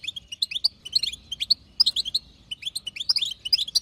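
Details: Wild female European goldfinch giving batbata chatter, used to get a male to sing: steady stream of high, metallic chirps in small clusters with brief gaps.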